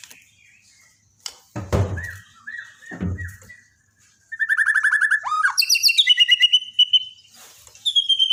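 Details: Borneo white-rumped shama used for daily song tutoring of a stalled singer: soft warbled notes broken by two loud thumps, then a rapid stuttering trill leading into high, sharp whistles and a steady repeated chip series.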